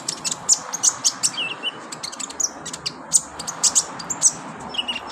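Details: Sharp, high-pitched sunbird chips repeated several times a second, interspersed with a few short lower whistled notes, over a steady background hiss; a kolibri ninja therapy recording meant to prompt singing.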